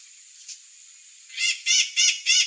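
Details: A faint note from a curl-crested jay, then four loud, harsh, buzzy calls about a third of a second apart, each rich and raspy, over a continuous thin high whine.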